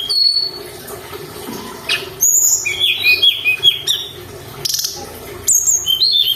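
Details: Lively mountain tailorbird song used as a lure recording. Sharp, high whistled notes come in quick bursts, with dipping and rising slurs, separated by short pauses. Faint low background hum.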